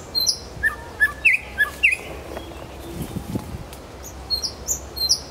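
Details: In Kuzminsky forest park a nightingale gives a few sharp, clear notes at about one per half-second, pauses, then adds high thin chirps over faint low background noise.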